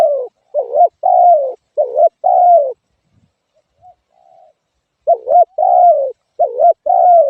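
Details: A spotted dove gives paired coos, each a brief wavering note then a drawn-out descending one. Two bursts of phrases are separated by a faint, quiet stretch.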